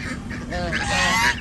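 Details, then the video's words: Six-day-old domestic gosling on a village farm in India giving a short series of harmonic, slightly rising calls that grow louder toward the end, with steady low background hum. "Baby Gosling Day 6"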